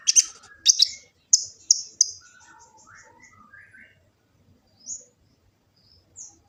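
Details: Kolibri ninja sunbird, Gresik, East Java, phone recording used to train birds: loud high chirps open, then softer descending twitters and a few distant thin notes fading out.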